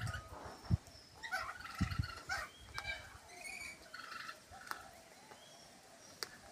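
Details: Lorikeet at Tamworth, New South Wales, Australia, giving short, harsh, screechy chattering notes in scattered bursts, with low thumps of wind or handling noise underneath.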